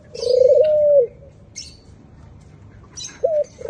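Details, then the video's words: White dove calling with a long, steady, low coo of about one second that wavers slightly, then a short clipped coo and the start of another, with faint high chirps from other birds in the background. "White doves k itni pyari voice"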